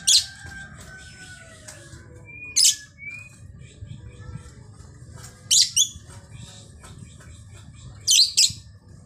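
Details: Female lovebird, very vocal: loud, piercing shrieks in short bursts about every three seconds. Softer chirps and thin whistled notes fill the gaps over a low indoor hum.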